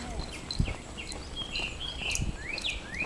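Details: Chinese hwamei, possibly an escaped mimic, on Mount Takao sings loud, clear whistled phrases sliding up and down that match the chorus of the pop song "Neraiuchi" (urara urara); passers-by remark it seems to have copied it. Low thumps, faint background noise.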